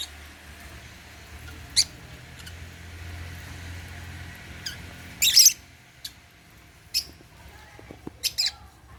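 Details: African lovebirds eating holy basil at meal time give scattered short, sharp, high chirps, including one loud burst midway, spaced by pauses over a faint low hum and small clicks.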